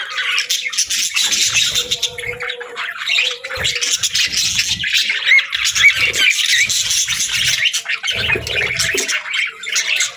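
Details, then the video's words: Pet budgerigars chirping happily, a dense, continuous scratchy warble of rapid high chirps and squeaks with brief soft low thumps scattered through. "Budgie Chirps & Sounds"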